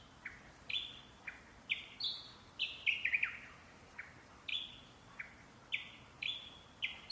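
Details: Parrot singing: clean whistled notes, each a short falling slide, repeated about once a second. Some notes come in quick doubled or tripled bursts. The background is quiet.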